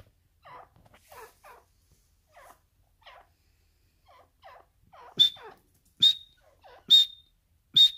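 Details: Captive black francolin giving soft, low, clucking notes in small clusters, then four loud sharp high whistled calls at roughly one-second intervals.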